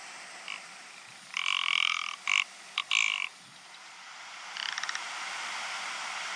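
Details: Courtship display of a rock ptarmigan: a dry, grating, croaking rattle in four rough bursts, the longest nearly a second, followed by a softer rapid ticking series, against constant windy hiss.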